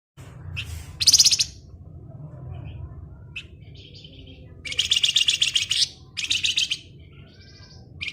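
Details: Flamboyan bird singing in the rapid ngebren style: bursts of dense, buzzy, rattling chatter, some short and some about a second long, separated by quiet gaps, over a faint low hum.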